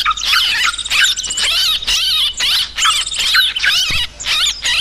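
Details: Noisy sooty-headed bulbul chatter used to lure birds, in bursts of bubbly, squeaky notes with short dips between them. Some lower descending whistles run under the high twittering.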